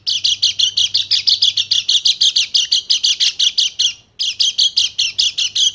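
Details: Bali dakun white-eye singing in the rapid-fire 'nembak' style, used as a lure for silent birds: quick, high, buzzy notes repeated almost three per second, with one short break near four seconds before resuming.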